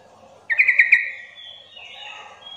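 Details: Sooty-headed bulbul lure call, intended to provoke untrained bulbuls into calling back: a fast string of four sharp chirpy notes, followed by soft high whistled tones drifting downward and fading.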